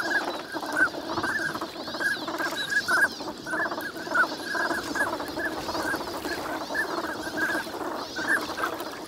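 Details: Many wintering ducks at Lake Inawashiro's Nagahama, Japan, lively on a clear winter morning. Steady gabbling chatter runs throughout, punctuated by repeated short higher call notes.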